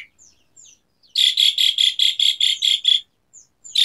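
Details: Asian pied starling song meant to set quiet starlings singing: faint thin whistles, then a run of nine rhythmic, scratchy, buzzing notes and one more at the end.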